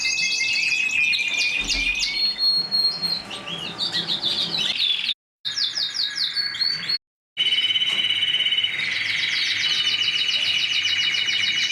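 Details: Mosaic canary song of fast chattering trills and whistled slurs. It stops abruptly twice, then resumes as long rapid rolls and repeated bright chips.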